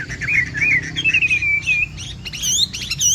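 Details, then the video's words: Chinese hwamei, a Bộ Tam Hoàng bird, singing a rich, continuous song likened to the patter of rain: clear sliding whistles around mid pitch, then sharper rapid upswept notes rising higher toward the end, over a low steady background hum. "Hoạ Mi Bộ Tam Hoàng Giọng Hót Rả Rích Như Tiếng Mưa Nghe Thư Giãn/ Tiếng chim hoạ mi hót giọng hay"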